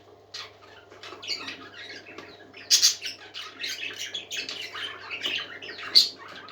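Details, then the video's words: Softer parakeet chatter from happy singing birds: scattered squeaks and raspy chirps, a couple of sudden louder squawks standing out, and a steady low hum beneath. "Happy Parakeets Singing"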